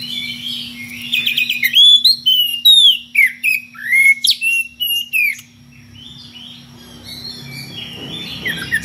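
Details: Magpie-robin singing ngeplong-style to call a rival, with strange variations: loud slurred whistles, some long descending glides, packed into a dense phrase that fades into soft, scratchy twittering near the end; faint constant hum behind.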